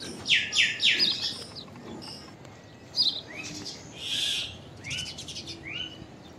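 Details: Common myna making an unusual call: three quick harsh notes, then a sharp chirp, a longer buzzy note and two rising whistles, with background hiss.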